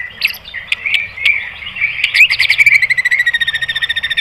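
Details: White-rumped shama song used to provoke other birds: soft warbling phrases building into a fast, steady, evenly pulsed buzzy trill.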